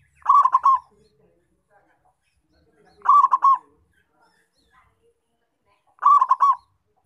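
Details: Actively calling local zebra dove, perkutut, for attracting wild doves: three short bursts of rapid, pulsing coo notes repeated at a steady pace about every three seconds, otherwise quiet.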